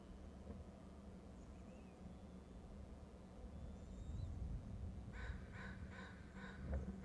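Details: Bald eagle(s) calling at 13:57 before one lands on a perch, a quick burst of four or five high, squeaky chittering notes near the end, over a steady low rumble of wind, with faint thin whistles earlier.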